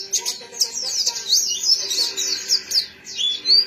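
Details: White-eye, known locally as pleci, delivers a continuous stream of fast, high-pitched chattering trills and slurred whistles, ending on a clear rising whistle, over a faint low background hum.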